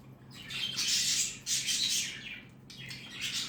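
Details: Pet cockatiel Pepper, during taming, gives harsh, high screeching calls in three bursts, with a low hum behind.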